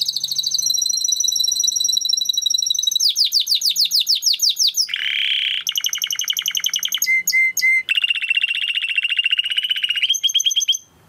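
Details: Timbrado canary training song: a sustained high trill, a run of fast descending sweeps, a low buzzy roll, pulsed rattles and clipped double notes, then a long even rolling tour, loud and continuous.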